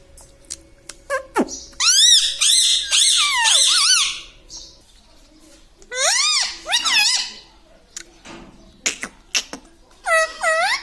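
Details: Talking parrot indoors in a small room, said to say "Papa Mummy" and "Me Tota"; bursts of harsh, strongly harmonic squawk-like syllables with wavering pitch, several phrases separated by short silences.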